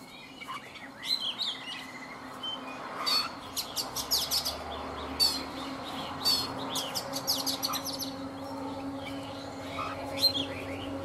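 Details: Wild-caught adult Oriental magpie-robin, caged for three seasons, singing in the morning: varied bright whistled and chirped phrases in bursts, some high and sharp, over a low steady hum.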